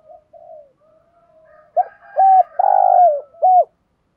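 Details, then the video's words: A spotted dove opens with quiet wavering murmurs, then gives its 'gù thúc' coo used to spur other doves to call: a clipped note, an arched coo, a long burry falling coo and a last hooked coo. "cu cườm gù thúc bài bản giúp bổi rất xiếng gáy"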